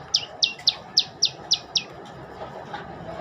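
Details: Olive-backed tailorbird singing: seven sharp, high, downslurred chips repeated at about four per second, then a pause, over faint rural background hiss.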